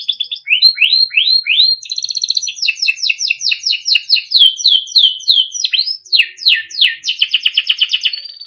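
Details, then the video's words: Melodic Timbrado canary training song from a small yellow bird: repeated rising sweeps, then many fast downslurred notes in rhythmic runs, closing with a dense trill and a thin whistle. "Small yellow bird sound - Timbrado canary singing beautiful melodic songs for training"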